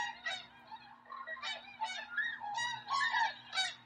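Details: Near Drumheller in Alberta, Canada, tundra swans at Rosedale and Munson call in a rapid, irregular run of bright, nasal honks, several birds overlapping, with a few sharper notes at the end.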